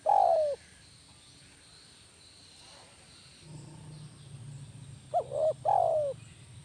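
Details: Spotted dove, a lure bird of kuk 1 style, ends one coo phrase, then after a pause gives another two-part coo, with a low humming noise underneath.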